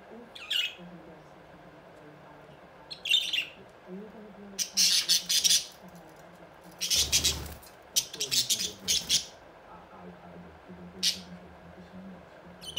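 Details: Budgerigars, in the morning, give harsh, scratchy squawks and chirps in quick, uneven bursts.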